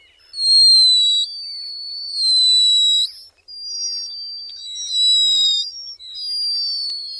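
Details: Several Black guillemots give thin, high, sustained whistles, overlapping in drawn-out sibilant notes lasting about a second each; nothing else is heard.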